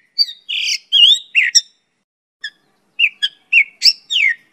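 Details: Varied Mongolian lark song used as a lure and training recording: a burst of buzzy, slurred and rolling notes, a pause with a lone chip, then a fresh string of rising and falling warbles.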